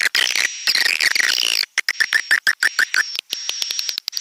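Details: Swiftlet lure sound: a burst of busy high chattering, then a pause and a run of sharp rapid clicks, with a steady thin high whistle running across the whole stretch.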